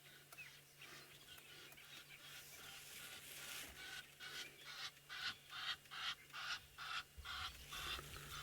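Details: Egyptian geese on an African safari (Maasai Mara, Sabi Sand or Kruger), with hippos calling nearby, give a rhythmic series of harsh, husky honks that builds over a steady low hum.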